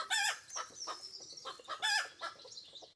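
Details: Pekin Bantam hen giving the egg laying song, two long harsh squawks separated by quieter rapid clucks, with a faint high whine behind and some low rumble.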